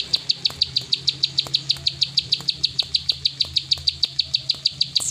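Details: Plain prinia in a 'klik ngacor' style, sung without pause: a fast, even train of sharp high clicking notes, about five per second, steady throughout with faint low background hum.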